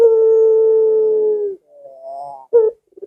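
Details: Barbary dove, a call played to coax home-kept doves into answering: a long steady coo fading out, then a quiet rising hum, a short sharp note, and the start of a rolling trill.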